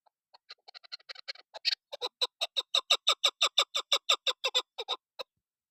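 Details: Chukar partridge hen voicing the call used as a hunting lure. Scattered soft clucks quicken into an even series of loud, raspy chuck notes, about three per second, before stopping abruptly.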